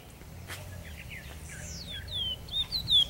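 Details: Chestnut-bellied seed finch (Trinidad bullfinch), 2014: a quick run of sweet, slurred whistles that rise and fall and grow louder toward the end, over a low background hum.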